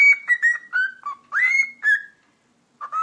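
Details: Captive pet cockatiel that talks and whistles. Bright whistled notes come in quick succession, dipping and rising, with one long sliding whistle, then near silence and two closing notes.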